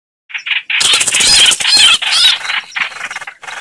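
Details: Chao chảo bird calls, used to lure birds into traps: harsh, noisy chattering bursts, a few short notes then a dense scratchy run with scattered squeaky peaks, ending in broken separate bursts.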